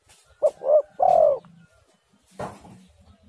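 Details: Spotted dove lure call to set other doves cooing. One crisp phrase of a short note, a rounder note and a long falling coo, then a brief burst of noise.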